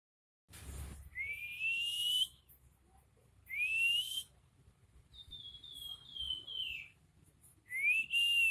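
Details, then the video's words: Crested jay (pelamboyan) singing actively in nyiul style: four clear whistles, three drawn-out notes rising gently, plus one higher slurred note that falls slowly, separated by pauses of about a second, over a faint low hum. "Burung pelamboyan gacor nyiul"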